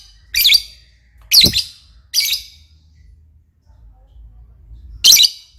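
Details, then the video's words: Lovebird giving loud, harsh, high-pitched chirps, three in quick succession then one more after a pause, over low background rumble. "burung Lovebird paling keren dan gacor"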